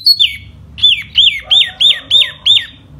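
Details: Spring hót xoè song of a silver-eared laughingthrush: one high slurred opening whistle, then six evenly spaced loud whistles, each rising and falling in an arch. They come about every third of a second.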